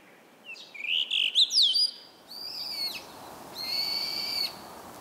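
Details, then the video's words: A brown-eared bulbul, named for its "hiyo hiyo" call, gives loud, shrill whistled notes that swoop up and down, then two drawn-out, harsh, buzzy cries; faint background hiss. "ヒヨドリひいよひいよと鳴くからヒヨドリと名付けられたらしいわ"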